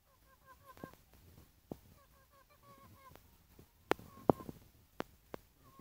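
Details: A lory kept for sale repeats short, nasal, harmonic notes in quick runs of three or four, broken by sharp taps and knocks from the cage or room.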